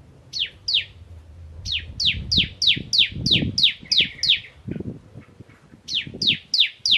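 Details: Ciblek, a crystal bar-winged prinia, in the 'nembak ngentrok' song style: long series of shrill falling notes, about three per second, with brief gaps; low rumbling knocks and noises underneath.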